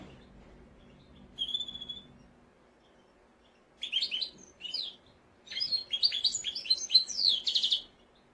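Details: Mosaic canary opening with a lone thin whistle, then two brief warbled phrases, building into a dense, rapid stream of chirping, twittering notes that sweep up and down.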